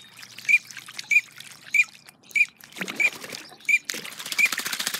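Green-winged teal drake giving seven short, high whistled peeps about every two-thirds of a second, over a rising wash of trickling, pouring water.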